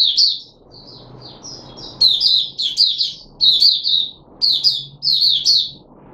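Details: Red-whiskered bulbul known as Puteh Raja, caged, 13 April 2021, fed fruit juice and a mealworm: soft twittering opening, then loud, rapid chortled phrases in regular bursts with brief pauses, light background hum.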